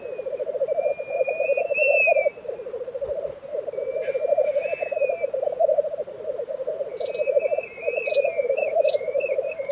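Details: At a black grouse lek in Sweden's Tiveden, April 2023, a rolling low bubbling drones on without pause; higher up, other birds give drawn-out whistles and short clicking notes.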